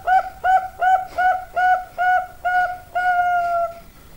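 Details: Zebra dove of the Bangkok type, called perkutut, with an alluring voice: a steady run of eight short, bent coos about two per second, closing on one longer drawn-out note, with no other sounds.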